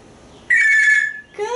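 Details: Talkative pet African Grey Parrot, asked what a telephone is during a porch word-practice session, gives a steady, pure whistled tone followed by a brief rising note, with a woman's voice nearby.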